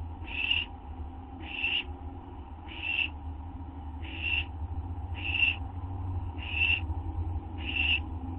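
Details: Owl nest at midnight, 6 September 2011, during a delivery of food; softer, evenly spaced breathy screeches, seven in about eight seconds, over a persistent low hum.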